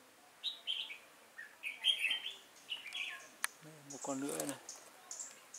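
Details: Red-whiskered bulbul singing as a lure beside a trap, Vietnam, October 2018; lively chirped phrases repeat irregularly, with a man's voice speaking briefly near the end.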